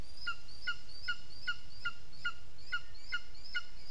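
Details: At the nest on 15 June 2021, 15:09, a lesser spotted eagle gives a steady run of clear, ringing yelps, about two or three per second, each a short sharp note; faint hiss behind.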